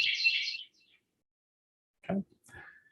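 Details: A male white-breasted wren of the genus Thryothorus, a species where only the male sings and there is no duet, gives a single rich, rapid burst of high warbled notes lasting under a second, followed by a pause and a man's brief spoken word.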